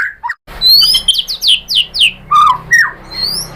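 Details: White-rumped shama, singing to provoke other shamas into song: a few low whistles, then a series of sharp, descending high whistled notes repeated rapidly, followed by lower slurred whistles.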